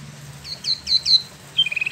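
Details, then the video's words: Spot-throated babbler, a caged wambi mini from Bandung, Indonesia, originally imported from China and Vietnam and freshly moulted, giving a short burst of its ngeroll song: three sharp descending slurred notes followed by a fast, even trill. "Wambi Mini / Tieu Mi (Pellorneum albiventre) ngeroll"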